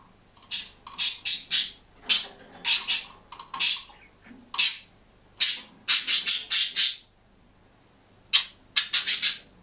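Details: Caged budgerigar on its own, singing and chirping: bursts of rapid, high, scratchy chatter, groups of three to six clipped notes, with short pauses between phrases.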